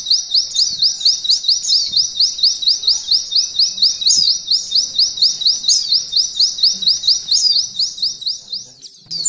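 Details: Mountain white-eye singing a canary-style 'nembak ngalun' song used as training material for canaries: a long, unbroken run of high, rising, slurred notes repeated about twice per second, with faint low background noise.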